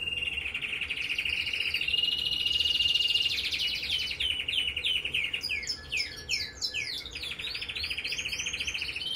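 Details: Singing red mosaic canary: a sustained even whistled tone that swells into a dense trill, followed by a burst of fast chattering downslurs and a closing rattle.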